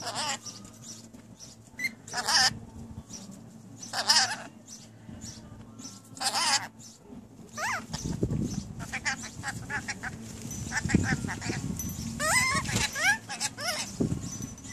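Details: New pet rainbow lorikeets chatter in mimicked speech: harsh raspy bursts and wavering squawks spaced a couple of seconds apart, later quick chirpy phrases over low rumbling background noise.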